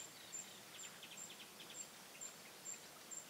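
Bearded tit fledglings give thin, high ticking calls about twice a second, with fainter softer notes underneath and a steady background hiss.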